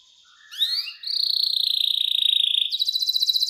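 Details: Canary singing in the elaborate 'cengkok mewah' style with a clear voice, used as a tutor song for young canaries: a short rising sweep, then a long, steady, high whistle that breaks into a rapid buzzy trill.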